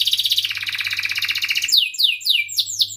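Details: Canary singing a rolling 'cuit cuit' song meant to teach young canaries: a rapid pulsing trill slides lower, then breaks into loud, clear, downward-swooping whistles repeated about three times a second, over a soft electrical hum.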